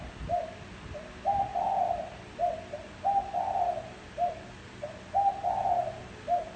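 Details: Spotted dove cooing, used as a decoy call to lure wild doves: low, mellow phrases of a short coo, a longer drawn-out two-part coo and a short closing coo, repeated about every two seconds, three phrases heard, faint background hum.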